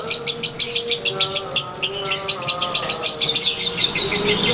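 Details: Lovebird, Konslet type, singing its daily ngekek while put out in the sun: continuous rapid stream of high buzzy chirps, closely spaced and even, with a soft low drone underneath.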